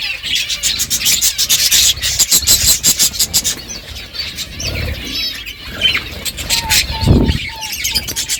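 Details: Pet budgerigars at their food. Rapid clicking and pecking fill the first half, then warbled chirps follow, along with a repeated lower whistled note and a muffled thud.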